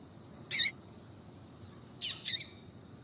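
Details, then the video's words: A calling female double-collared seedeater, used to provoke male singing. One sharp, ringing chip is followed after a pause by two buzzier, trailing notes close together. "Piado de Fêmea de Coleiro para Foguear Coleiro tui tui Com Fêmea de Coleiro Chamando"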